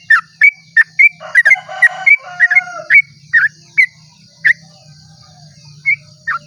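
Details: Sooty-headed bulbul at dawn delivering long rapid song meant to provoke other bulbuls into singing; short bright slurred whistles in a quick burst, slowing into spaced single notes, with a faint low drone behind.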